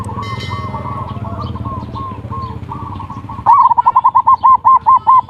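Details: Zebra dove song, ngerot and kuwor styles, used as a lure to trigger mating and lazy birds singing: soft rolling coos over a busy background, then a loud run of about twelve quick, clear pulsed coos.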